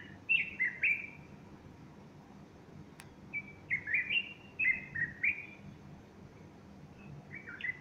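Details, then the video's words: Bulbul singing on a Sunday morning, 30 August 2015, with a female standing beside it fluffing her feathers; short bubbly whistled phrases of warbling notes, a pause, then a longer run of similar liquid phrases over low background hum. "البلبل يغرد صباح الأحد30أغسطس2015"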